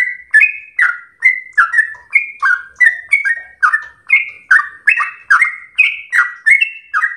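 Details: A home-kept sooty-headed bulbul sings 'gacor ropel slow' as a training tutor. It gives a continuous chain of rich whistled notes, some rising and others sliding down, close together and steady. There is no other noise.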